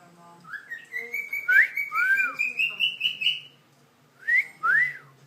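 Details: A male pet cockatiel, being taught tunes, whistles a run of clear, rising and falling notes, then two sharp upward-swooping whistles.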